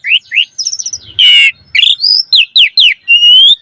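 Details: Energetic Asian pied starling song played to train caged starlings: short upward whistles, a quick run of level notes, a loud harsh rasp, then sweeping slurred whistles ending in a long rising whistle.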